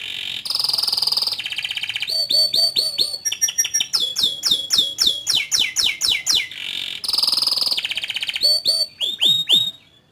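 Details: Canary in full song, alternating harsh buzzy rolls with rapid swooping chirp series and steep downward notes, phrases changing every second or two, ending abruptly.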